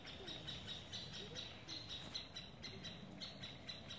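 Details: Fallen middle spotted woodpecker nestling climbing a tree trunk near its nest, Parc de la Poudrerie, 22 May 2019; steady series of short, high, thin calls in quick regular rhythm, roughly eight notes a second, over a faint background hum.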